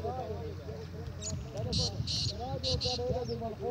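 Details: Black francolin (kala teetar), 19 April 2020, making a run of four raspy, grating notes in two pairs against a loud noisy background of music and low rumble.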